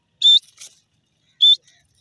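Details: Grey francolin giving two short, sharp, high whistled notes about a second apart, with a softer faint note after the first and quiet surroundings.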